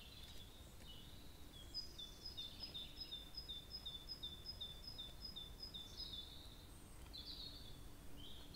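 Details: A Brambling at a bird feeder on 25 March 2022 gives a quick series of short, high chirping notes, about a dozen in four seconds, over a steady low rumble of background noise.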